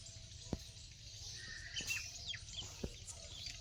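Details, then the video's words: Several birds chirp faintly in a village in the morning, thin high notes and short twitters over a steady ambient hiss and a few soft knocks. "Morning 🌅 village sound of birds"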